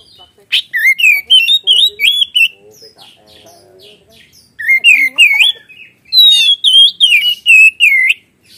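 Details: Kacer, or Oriental magpie-robin, singing 'gacor ngeplong' with 'isian' imitations: three fast bursts of looping, yodel-like whistles, each a run of five to eight notes, separated by short pauses with faint low chatter.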